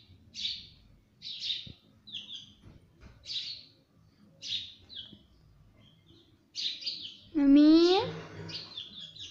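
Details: Talking parrot taught to say mummy and papa. Soft, high chirps come in a steady series, then one loud, rising, speech-like phrase near the end.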